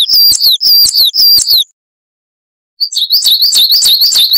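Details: Coal tit song in a wucit-wucit style, recorded to train cage birds. Three crisp, high, two-note whistled phrases give way, after a silent pause, to a faster run of rapid, repeated piping notes. The sound is loud and harsh.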